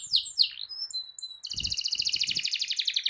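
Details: Singing canary performing a long rolling song used to stir other canaries to sing: a few slurred chirps and thin whistled notes, then an even, rapid rolling trill with faint low thumps underneath.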